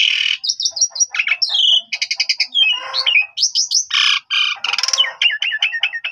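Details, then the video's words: Asian pied starling song meant to prompt young starlings to reply: a dense jumble of sharp whistles, downslurred notes, buzzy rattles and squeaky phrases follows with barely a pause. "Jalak Suren Bahan Langsung Respon Nyaut Gacor"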